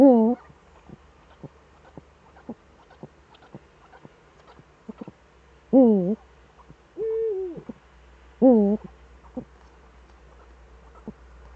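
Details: Eurasian eagle-owls, both back, Eifel, Germany, evening of 11 March 2013: nasal wavering calls at irregular gaps of several seconds, one smoother arched call among them, with ticking clicks throughout.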